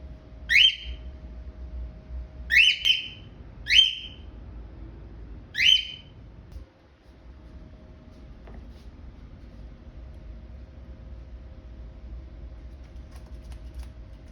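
A cockatiel gives four shrill, rising contact-style whistles in the first six seconds, then falls quiet.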